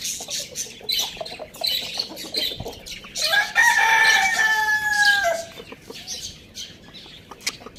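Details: Lohmann Brown rooster, a pet among hens, chicks and budgies, Lalukhet bird market, Pakistan, giving a single loud crow of about two seconds, steady and harmonic with a falling tail, after and over dense high-pitched chirping.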